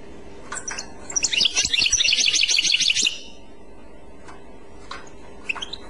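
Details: European goldfinch singing in the clochette style: a dense two-second burst of bright, rapid twittering trills, preceded and followed by a few isolated sharp chips, over a steady low background hum.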